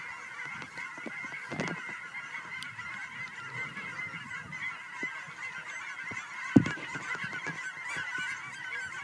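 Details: A homecoming flock of geese at Fern Ridge, recorded on a silent walk on March 4, 2012: steady massed honking in the distance, with occasional knocks and one loud sharp tap.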